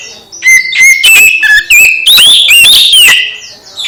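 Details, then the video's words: Magpie-robin song meant to spur a quiet bird back into singing: loud, rapid run of clear whistles, flat held tones and quick rising-falling slurs broken by dry clicks. "Kacer MBAGONG langsung GIRAS lagi setelah dengar KICAU Kacer ini"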